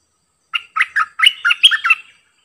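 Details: A decoy bulbul kept for luring gives a bright, liquid phrase of about seven chirpy, dipping notes. Nothing else is audible.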